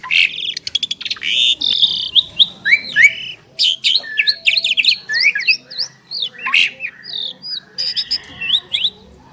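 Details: Two Asian pied starlings singing together: harsh grating squawks open into a long jumble of sharp V-shaped whistles, hooked upslurs and raspy chatter delivered in quick irregular bursts.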